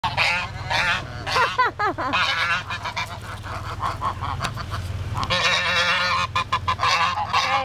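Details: Neighborhood geese, part of a roving group that blocks the road and comes after a car, give loud harsh nasal honks in rapid overlapping bursts. A deep engine rumble runs underneath, and a man's shout and brief music are heard.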